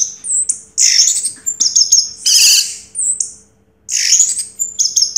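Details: Orange-headed thrush that took first place in a 2022 contest, mixing harsh, rasping bursts with thin, high whistled notes in an energetic, uneven stream.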